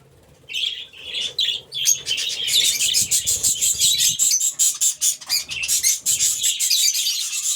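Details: A flock of budgerigars in an aviary chattering loudly, starting with a few warbles and building into a continuous dense mass of high, scratchy chirps.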